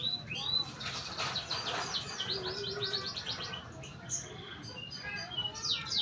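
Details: Learning canary giving scattered high chirps and rising whistles, then a rapid buzzy trill of tightly repeated notes. Later come looser upslurred twitters over a faint low rumble.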